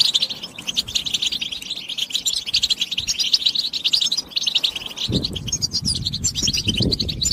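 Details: Goldfinch stimulation singing in the بتبتة style: busy, tinkling twitters and quick high notes pouring out without pause, joined near the end by low thumping noises and soft rustling beneath the song.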